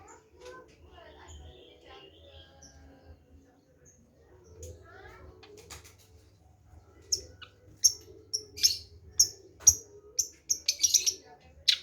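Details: Long-tailed shrike singing: a quiet start with faint scattered notes, then from the middle a run of loud, harsh, scratchy bursts repeated irregularly, about one to two per second, with a low hum underneath.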